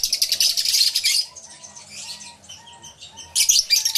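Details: Shrill chattering from a crowded lovebird aviary fades after a loud first second. A soft whistled note repeats below, then a fresh burst of sharp chirps returns.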